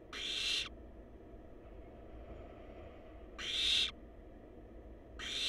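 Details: Wild barn owl chicks in a monitored nest box, recorded by a live nest cam. They give harsh, breathy hissing bursts, each about half a second long, repeated every few seconds over a steady low background hum.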